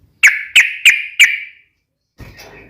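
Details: Yellow-vented bulbul giving a sharp, rapid fighting sound meant to provoke other bulbuls into answering at once: four loud, harsh, ringing notes about a third of a second apart, the last trailing off, then a brief noisy rustle.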